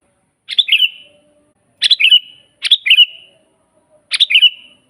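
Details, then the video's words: Energetic sooty-headed bulbul used as a natural training master: four brisk, gurgling phrases, each ending in a level drawn-out whistle, spaced about one to two seconds apart with a clean, quiet background. "suara burung kutilang GACOR asli"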